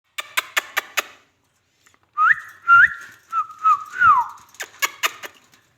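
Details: Ringneck parrot, a rose-ringed parakeet, giving a short run of whistled notes that rise, hold and then slide downward at mid pitch. Sharp dry clicks or taps come before and after the whistles.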